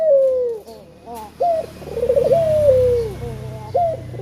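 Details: Lure call of a lively male spotted dove. A descending coo, then brief clipped notes, then a long wavering coo that tails downward, over a steady low indoor hum.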